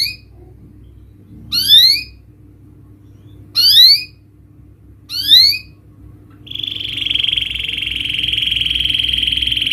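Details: Canary song used to stimulate a young, reluctant canary to sing: three separate loud upward-sweeping whistled notes spaced about two seconds apart, followed by a sustained buzzy trill running to the end.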